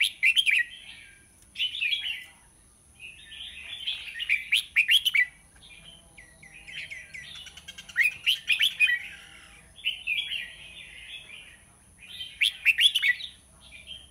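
A red-whiskered bulbul gives bright, bubbly warbled phrases every second or two, rich and chattering, with a steady faint high hum behind.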